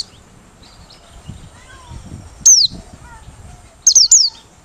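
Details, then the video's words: A Merapi white-eye's open-beak lure song gives one sharp, high, falling note, then after a pause a fast run of three descending whistles, over faint low background rumble. "Pleci Merapi Ngalas Losssdol,cocok buat pikat~pancingan || Buka Paruh"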